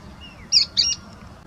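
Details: Pale-breasted spinetail (Synallaxis albescens) heard but not seen beside a rural path in Brazil near a cattle corral in early morning: a faint thin whistle, then two quick, sharp, high song notes about a quarter second apart, over a quiet background.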